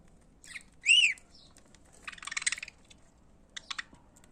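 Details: Pet budgerigars singing: a clear ringing rising-falling chirp, then a stretch of rapid scratchy chatter and a short burst of clicking twitter.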